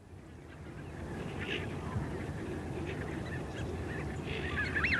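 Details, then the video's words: A small group of greater white-fronted geese calling in flight gives scattered high, yelping calls, the clearest a rising-and-falling squeal at the end, over a steady low rumble. "Small Group Of Geese Calling In Flight"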